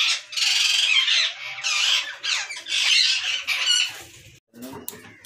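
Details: Captive rose-ringed parakeet colony in Pakistan, 2022, giving harsh repeated screech bursts that stop abruptly near the end, followed by faint clatter.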